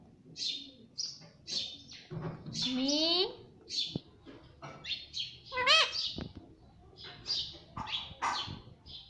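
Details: Talking pet parrot said to say mummy and papa: a run of short high raspy chirps, roughly two dozen a minute, broken by a few rising-falling, speech-like harmonic syllables.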